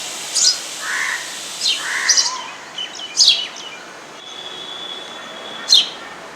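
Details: A sparrow at a home gives short, sharp, high chirps in scattered bursts, with a faint steady whine and low background hum.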